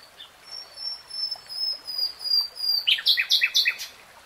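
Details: Common nightingale (Luscinia megarhynchos), song.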